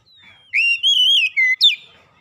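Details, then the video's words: Oriental magpie-robin (kacer) singing in a recording meant to coax a mute bird into song: a faint drawn-out whistle, then four loud, rich whistled notes that waver and fall, ending in a sharp downslurred note. "TERAPI MEMPERCEPAT KACER BISU MACET BUNYI LANGSUNG GACOR"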